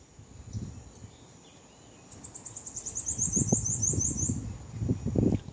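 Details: A wild Bananaquit calling near Belém, Pará, Brazil, gives a thin, very high, hissing song: a fast run of sibilant ticks and buzzes lasting about two seconds, over low rumbling background noise.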